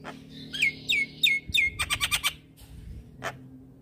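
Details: Short Javan myna lure phrase for morning training: four clear downward-sliding whistles, then a fast run of five harsh buzzy notes, and a single rasp after a brief gap.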